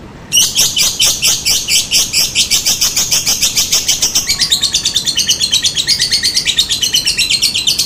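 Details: Lovebird lure sound meant to make other lovebirds reply, in the ngetik and ngekek style: after a brief quiet start, a long run of fast, harsh, high chattering notes, steadily repeated, with a slight pitch drop midway.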